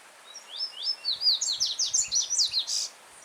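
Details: Wild yellow-bellied seedeater singing in the open: one rapid phrase of about thirteen clear, slurred whistles, rising and falling, ending in a short buzzy note. Soft rushing of a brook over stones underneath.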